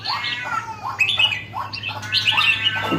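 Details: Red-whiskered bulbul, locally called jambul, a bird just starting to become lively and vocal; short rising chirpy phrases with bright harmonic notes, several bursts across three seconds over a steady low electrical hum.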